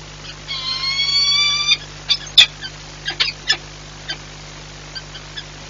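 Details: Peregrine falcon pair at a nest site in Płock, Poland, on 4 April 2022, swapping places at the nest many times that day. A drawn-out, harmonic wailing call lasts about a second, then scattered sharp clicks and knocks over a steady low hum.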